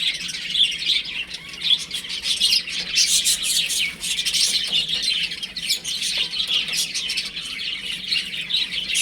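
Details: Chicks kept at home while playing, giving a constant wash of shrill, rapid peeping from many birds at once, swelling louder in the middle stretch.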